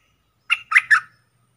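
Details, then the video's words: Streak-eared bulbul, a caged decoy bird calling to wild birds, gives three short harsh chirps at mid pitch in under a second, each with a brief downward slur, in quiet surroundings. "เสียงต่อนกกรงดอกแตงEp.52 Birds sounds นกต่อ เจ้าแบงค์ นกป่ามายั่วไม่ยอมลง!!Suara merbah lekir 2021"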